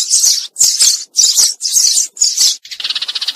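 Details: Eurasian tree sparrow flock call used to lure birds into a trap: five loud, high, harsh chirps about two a second, followed by a quick rattling trill.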